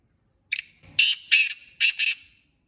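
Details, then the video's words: A black francolin in jungle gives one harsh, grating phrase of five loud, rasping notes in under two seconds, in uneven pairs, over a thin high ringing tone. "Kala teetar awaz//teetar ki awaz//Black teetra ki boli"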